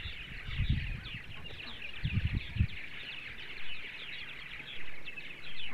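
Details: Purple martins chattering on a sunny Sunday morning in central Ohio, a steady mesh of gurgling chirps over heavy low knocking and wind-like rumbles.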